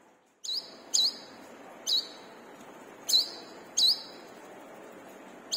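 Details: Lively brown-throated sunbird used as a lure for caged birds: six piercing, quick down-up chirps in an uneven series over constant background hiss.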